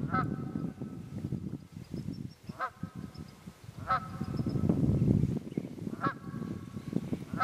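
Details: Repeated nasal honks of wild geese, roughly every one to two seconds, over a heavy low rumble, recorded 27 February 2018 in Pennsylvania's Quehanna Wild Area.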